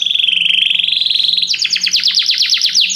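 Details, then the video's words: Several canaries sing together after hearing music; a steady bright trill gives way to a fast series of sharp descending notes repeated several times a second. "muitos canários cantam junto depois de ouvir essa música"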